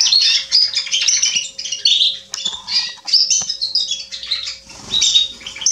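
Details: Atlantic canary male singing, recorded 27.10.2020: bursts of high chirps and quick trilled phrases rising and fading in waves, with short pauses between phrases and a soft low rumble near the end.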